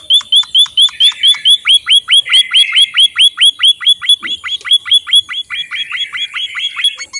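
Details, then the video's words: White-headed munia (emprit bondol haji) in full song, giving a fast, steady run of thin, high chirps about three or four each second, with faint overlapping twittering behind. "suara burung emprit bondoh haji gacor"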